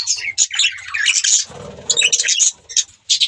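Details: Budgerigars chirping: dense bursts of high, scratchy chatter and short whistled notes, broken by brief pauses and a lower, rougher warble in the middle.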